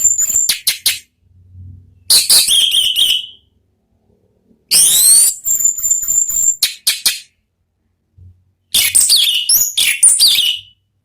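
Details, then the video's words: Orange-headed thrush, ngeplong-style song used to spark other birds: three long runs of loud, high, rapidly varied whistles, trills and sweeping notes, some ending in sustained thin tones, with short quiet gaps. "MEMANCING ANIS MERAH BUNYI NGEPLONG"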